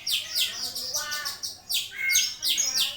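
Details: Starling singing as a master recording for teaching other birds: rapid runs of bright, harsh chirps and rising whistles, broken by a brief lull and then a sudden loud burst of scratchy high notes.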